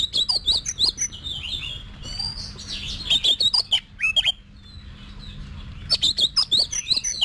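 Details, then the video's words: An Oriental magpie-robin's competition song, used for voice training. Rapid series of bright whistles and sharp chips, grouped in bursts, with a quieter gap near the middle, then a fast run of high notes; faint low hum behind. "Luyện Giọng Cho Chòe Than Hót Đấu"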